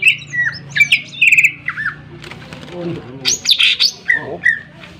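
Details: Sharp-toned Greater green leafbird song used to push other birds into singing: whistled phrases and a buzzy trill, then harsh noisy bursts and downslurred notes, over a low steady hum.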